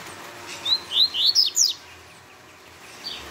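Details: Quick Tui Tui phrase from a double-collared seedeater: five high, clear, rising whistles delivered in about a second, then near silence with one faint chirp.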